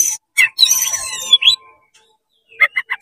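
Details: Oriental magpie-robin in fast 'konslet' song with tail spread, meant to provoke rival magpie-robins: a harsh buzzy burst and a rising whistle, a pause, then three quick clipped notes.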